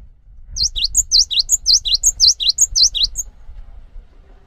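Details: Song of a cinereous tit meant to set others singing, clear piercing whistles alternating high and low in a regular rocking rhythm, about fourteen notes across nearly three seconds, with faint low background rumble.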